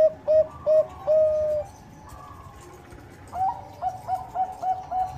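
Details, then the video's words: Zebra dove (Bangkok perkutut) sings short, clear cooing notes in quick bursts, a brief run then a faster string of rising coos, with faint chirps behind. "PANCINGAN PERKUTUT BANGKOK GACOR - SUPER AMPUH, BIKIN LAWAN PADA BUNYI."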